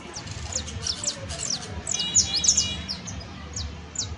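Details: Saffron finch (canario basto) in professional song: rapid high chirps sliding downward, with a brief buzzy, layered phrase around two seconds, then spaced single notes to the end.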